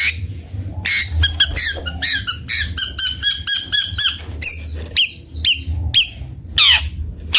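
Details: Long-tailed shrike of the cendet bondol form: a dense chatter of rapid squeaky notes, then several separated sharp, rising and falling chirps.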